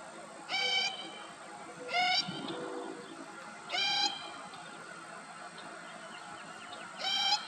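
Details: Least grebe (Tachybaptus dominicus) in Texas gives four short, nasal, reedy beep notes, spaced irregularly a couple of seconds apart, over a faint background hum; least grebe call.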